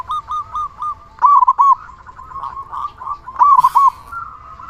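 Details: Vigorous local zebra dove used for luring and training other zebra doves; soft trilling coos lead into two loud, bubbling, staccato phrases about two seconds apart, with a brief rustling burst near the second.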